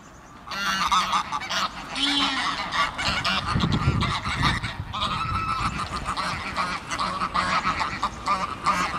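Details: A flock of greylag and Egyptian geese on a river bank calls almost nonstop, with overlapping loud nasal honks and cackles and harsher hissing notes that may come from the Egyptian geese.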